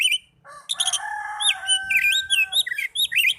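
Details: Oriental magpie-robin song intended to trigger caged birds to sing: continuous rich warbling with looping whistled slurs over sustained tones, with a faint low rumble beneath.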